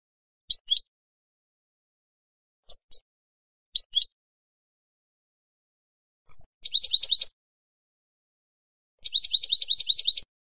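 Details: European goldfinch song for training young birds to sing: short high twittering notes in isolated bursts, then two rapid tinkling trills of repeated notes near the end, in a silent background.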